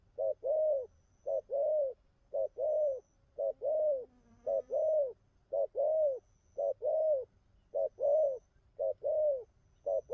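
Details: Ten seconds of persistent cooing from a newly wild-caught spotted dove, regular short-then-long coo pairs repeated about once a second, with a brief faint lower sound near the middle.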